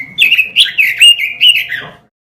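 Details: Caged-bird training recording of robin song: a continuous two-second warble of clear whistles, with loud upslurred notes near the middle, tailing off into softer descending notes.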